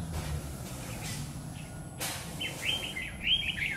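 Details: Red-whiskered bulbul, called Má lỡ, a bird singing hard above during trapping with a lure bird on a stormy afternoon, 9 September 2019; after a sharp click, a bright chain of rapid warbled whistles over low background hum.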